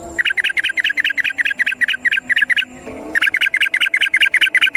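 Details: Wild yellow-vented bulbul giving a long rapid run of notes, used as a lure for other birds: fast, even bubbling chatter of about a dozen notes, a short pause, then the run resumes just as fast.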